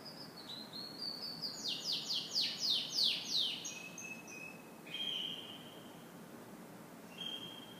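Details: Canary singing in the morning: high, sweet notes leading into a rapid rolling trill of descending sweeps, then long, steady, pure whistled tones, with quiet background hiss.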